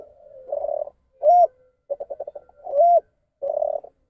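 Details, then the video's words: Captive-bred spotted dove with the ndanglong coo, a deviant form of the standard call blamed on close inbreeding: low buzzy notes alternating with loud arched hoots and quick stuttered pulse runs, steady pattern about every 1.5 seconds. "SALAM NDANGLONG"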